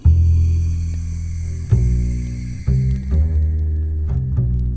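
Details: Deep, loud instrumental music with sustained bass notes and sharp struck accents, and no animal voices.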